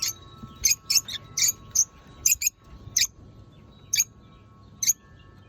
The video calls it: Chirping love birds